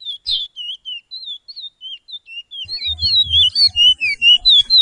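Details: Chestnut-bellied seed-finch, Pijé-Pijé training song from Suriname: sparse, wavy whistled notes at first, then a louder, denser phrase of twisting whistles over a low rumbling background.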